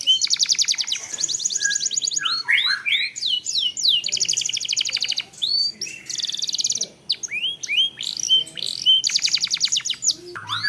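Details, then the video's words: Canary lure song with long rolls to get other canaries singing: extended high buzzing trills broken by clusters of swooping whistles and chips, the rolling trills resuming several times over ten seconds. "Pancingan Kenari / Masteran Kenari / Dijamin Langsung Bunyi"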